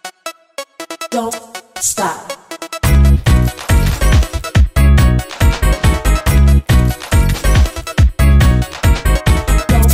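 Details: Electronic music with a heavy, punchy beat and bright synthesized tones fills the whole stretch, with no animal voice audible.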